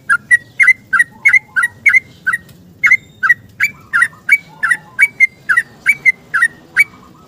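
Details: Yellow-vented bulbul in full long 'ropel' song at dawn, seeking company; the recording serves to coax silent kept bulbuls. A fast, unbroken chain of about twenty clipped, rising-falling whistled notes, only slightly uneven in spacing.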